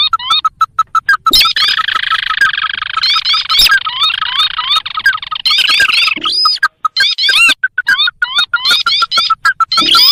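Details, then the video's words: Lure calls of the sintar, a rice-field and marsh bird, for catching wild birds; clipped notes alternate with long stretches of dense buzzy chatter and quick rising whistled phrases. "Suara pikat burung sintar"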